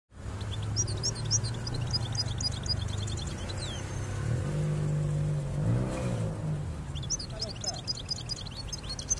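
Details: Goldfinch singing, with bursts of rapid, high, tinkling twitters at the start and again near the end, over a loud, steady rumble of passing traffic and engine noise.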